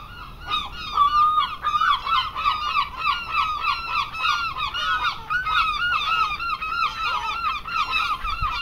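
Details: A crowd of seagulls in an English seaside garden gives loud, continuous cries. Each call is a short, bent, nasal yelp, and the calls tumble over one another in waves without pause.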